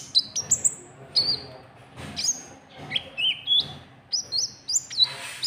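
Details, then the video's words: White-cheeked bulbul lure call used to provoke rival birds: bright, high whistled notes, some rising, some stepping down, given in quick irregular bursts of two to four with short pauses, with a second bird chirping sharply. "Suara Pikat Burung KONIN TROTOL , Ampuh Buat Pancing Lawan"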